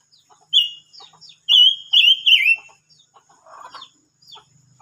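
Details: Singing silver-eared mesia, 25 May 2022: a bright whistled note, soft ticking chips, then three loud warbled notes running together and falling at the end, followed by a brief harsher rattle and quiet chips.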